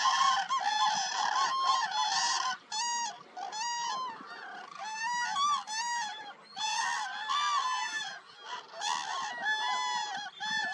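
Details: Near Nal Sarovar in Gujarat, India, winter-visiting Demoiselle Cranes and Common Cranes call in January 2021. Many birds give overlapping bugling honks, rising and falling, in a continuous noisy cacophony with brief lulls.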